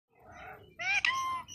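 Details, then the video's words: Indian ringneck parakeet kept as a talking pet, uttering short harmonic speech-like syllables in a raspy parrot voice, a softer phrase followed by a louder, brighter burst. "Talking indian ringneck parrot"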